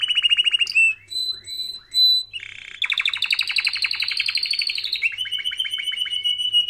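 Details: Canary singing a training song in unbroken flow: quick trilled notes, several drawn-out clear whistles, then a long, rapid rolling trill that slowly rises and falls before settling into a steady high warble.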